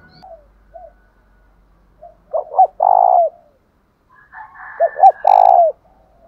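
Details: Decoy spotted dove giving its fighting coo to draw responses from caged doves: two phrases of short rising hoots leading into a loud, drawn-out falling coo, separated by quiet gaps.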